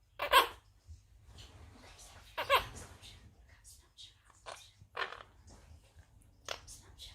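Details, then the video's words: A talking pet monk (Quaker) parakeet saying its name indoors gives two loud, harsh, speech-like bursts about two seconds apart, then softer chattering syllables, in a quiet room. "Talking Monk/Quaker Parrot | Funny Parrot saying his name"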